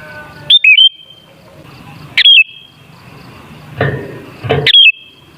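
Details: Sooty-headed bulbul song serving as a bulbul lure: three bubbly whistled phrases, each starting with a click and wavering up and down. Between them come a couple of soft rustling bursts of noise.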